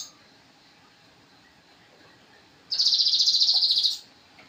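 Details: Javan cochoa song for training songbirds: a long quiet stretch, then a sudden high, buzzy, finely pulsed trill of just over a second.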